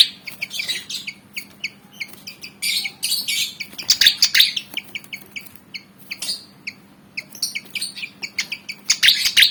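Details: Javan fantail, a black and white bird about 19 cm long, eager to fight, gives rapid, uneven series of sharp high chirps broken by several loud, scratchy chattering bursts.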